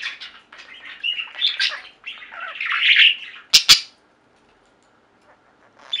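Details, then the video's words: Pet budgies warbling and chattering indoors for several seconds, followed by two sharp clicks and near silence with a faint chirp at the end. "Most Beautiful Budgie songs Ever: Budgies singing and chirping"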